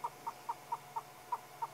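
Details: A Southern Yellow-billed Hornbill at sunrise on 14 February in Sabi Sand, South Africa, on a cool morning, calls a steady run of seven hollow, mid-pitched clucks, about four a second, over a faint low hum, beak open and throat puffing.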